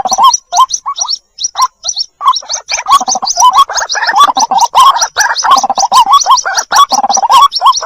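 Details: White-breasted waterhen chicks call for their mother, recorded for luring: fast, repeated high chirps paired with lower rising gurgles, about one and a half per second, growing denser and more overlapping later on.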